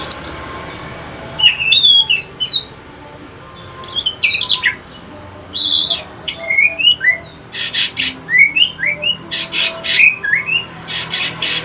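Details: White-rumped shama of the Aceh pastol type, a mutated bird, in evening song: sweet whistled phrases mixed with harsh buzzy bursts and rapid chatter, loud and varied throughout.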